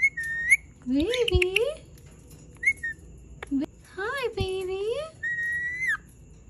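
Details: Indian ringneck parakeet, described as angry, mixing high whistles, clicks and wobbling, rising-falling harmonic calls, finishing with a held, slightly falling whistle.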